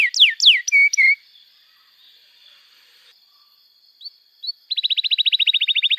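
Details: Canary singing long and lively, used as a lure to teach young canaries to sing and as therapy for canaries that have stopped singing: steep descending whistled sweeps, short clipped notes, a thin sustained high tone, then a rapid even trill of about twenty notes.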